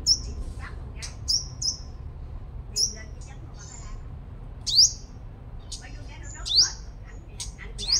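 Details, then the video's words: Five-colored sunbird kept as a lure bird, said to sing strongly, in Long Thành, Đồng Nai, Vietnam: thin, high, sharply down-slurred whistled notes given in irregular bursts, with faint voices and low background hum. "Chim Hút Mật 5 Màu Mồi Siêu Hót"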